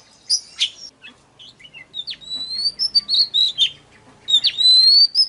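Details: Oriental magpie-robin singing as a lure for wild birds: a few sharp high chips, soft scattered notes, then sweet sustained whistles and a long rising whistled phrase.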